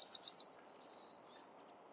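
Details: Yellowhammer song, Sweden: four quick, high, scratchy notes, a brief higher note, then a long, drawn-out wheezy final note. Nothing else is heard.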